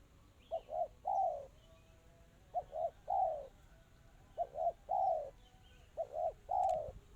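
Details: Spotted dove with quick 'kristal' cooing: each phrase a stuttered double coo leading into a longer falling hoot, four phrases with short pauses, faint distant chirps and a brief click.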